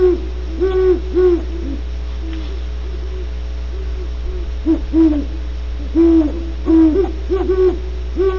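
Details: Great horned owls at Starr Ranch, California, trading bursts of low, rounded hoots in irregular clusters, brief pauses between runs, several notes doubled where birds overlap, with a continuous low hum in the background.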